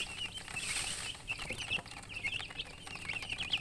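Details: Newborn chickens giving high, quick peeps in irregular clusters, partly covered by a hissing rustle in the first second.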